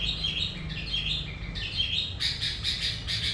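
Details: Sooty-headed bulbul in energetic 'gacor' song used to lure other bulbuls: bright repeated chirps around the upper-middle range, about seventy a minute, with a low steady hum underneath.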